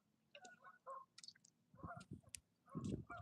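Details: Geese on a small island among shallow shoals give short, nasal honks in loose bursts. A man's voice talks over the later calls, and there is low rumbling in the background.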